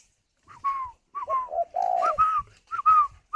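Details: Spotted dove incubating in a cage in Vietnam: after a short silence, falling whistled notes, then a low two-part coo and a long purring coo, followed by higher whistled slurs.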